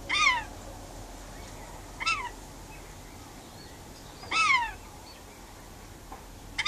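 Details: Pet rainbow lorikeet outside on a verandah calling to wild birds: two strong harsh descending squawks about four seconds apart, with shorter, softer screeches between and at the end.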